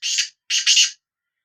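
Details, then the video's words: One quick phrase from a Sindhi black francolin: a rasping note followed after a short gap by a double grating burst, loud, harsh and high. "Kala Teetar Voice | Black Frankoline Voice کالا تیتر کی آواز"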